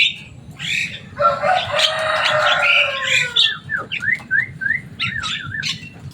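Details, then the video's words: Javan myna kept as a pet, described as loud and able to imitate people: a long harsh rasping, crow-like stretch, then a string of quick rising whistles and a wavering whistle at the end, with low hum beneath. "Burung jalak kebo selain suaranya yang rame ada kelebihan nya bisa bicara"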